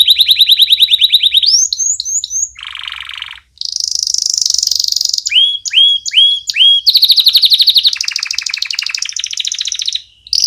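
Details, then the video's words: Canary, singing a training song for chicks: fast even trills, a harsh buzzy section, hooked rising notes, and varied rolling tours changing pitch in quick succession. "Canary Singing - Most Spectacular HD Video Training For Chicks"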